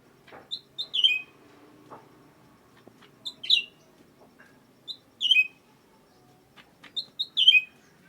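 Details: Sooty-headed bulbul song: short bright phrases of a few quick notes ending in a slurred, descending whistle, repeated roughly every two seconds, with faint clicks and low background noise.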